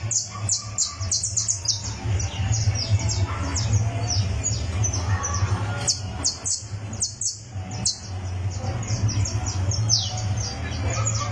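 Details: Criollo canary singing or tuning up its song on a tournament perch, warming up: bursts of short, high, sharply descending chirps repeated in quick runs, with a steady low hum underneath.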